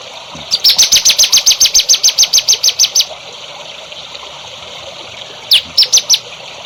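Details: Songbird song used for training young birds: a fast run of about sixteen bright, high, clipped notes repeated evenly, then a pause and a short burst of three more similar notes.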